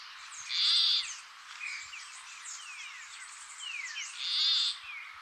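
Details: Endangered Peruvian plantcutter in coastal dry forest and shrubland of northern Peru: two harsh, buzzy, bleating notes about three and a half seconds apart, with faint chirps and slurred whistles of other birds behind.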